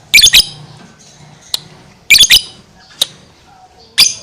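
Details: Lovebird in 'gacor' (continuous chattering) voice: short clusters of sharp, high chirps, two or three bursts close together, separated by single clicks over about four seconds of quiet background.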